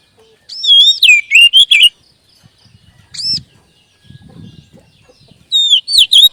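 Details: Oriental magpie-robin lure song for raising a caged bird's singing spirit: a loud burst of looping whistled phrases, one lone rising note, then another bright whistled burst, with soft low rustling in the gaps.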